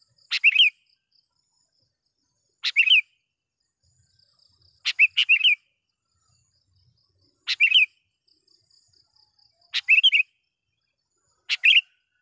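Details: Sooty-headed bulbul (kutilang) call meant to summon rivals and lure wild birds: sharp clipped two- or three-note chirps, bursts spaced roughly two to three seconds apart against near silence.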